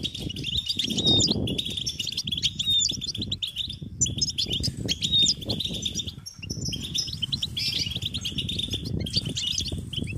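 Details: European goldfinch chicks begging for food from their parents: high, insistent chirping and twittering in long runs broken by short pauses, over a steady low rumble and fluttering sounds.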